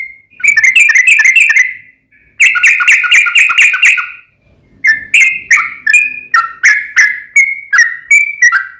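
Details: Sooty-headed bulbul in long rolling song, a lure to make another bulbul answer: two fast, chattering bursts of rapid notes, then a quiet pause and a stream of separate slurred whistles.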